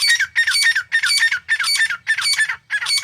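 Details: Harsh, scratchy calls from a wild Grey Francolin pair in jungle, a regular chain of strong rasping phrases roughly every half second with no other sounds.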